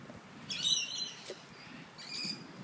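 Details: Two wing-tagged Sulphur-crested cockatoos playing with a coffee cup at the Royal Botanic Gardens in Sydney; two short, harsh, raspy squawks about a second and a half apart, over a faint low background rumble.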